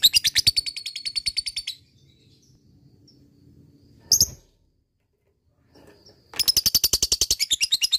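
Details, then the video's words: Lovebird ngekek, a bait trill to prompt sluggish lovebirds to sing: a fast shrill chattering run, near silence with a single sharp note, then a second loud rapid trill. "LABET ngekek gacor jeda rapat,solusi pancingan lovebird malas bunyi"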